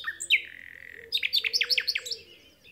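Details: Nightingale singing on Alners Gorse: a long sustained whistle, then a rapid series of sharp, descending liquid notes repeated about eight times.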